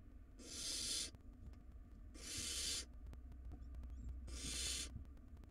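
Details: Nest-box barn owl chicks, wild, pulling at a very large rodent between them; three long breathy screeching hisses, each near three-quarters of a second, repeated about every one and a half seconds above steady low hum.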